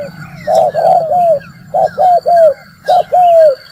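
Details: Spotted dove lure call for trapping, three loud phrases of short bursting notes ending in a long descending coo, separated by brief pauses, over faint distant high whistled notes.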